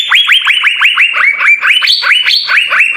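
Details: Blue-winged leafbird song used for training other birds: unbroken stream of fast, clear whistled notes, each swooping downward, with the pitch rising a step toward the end.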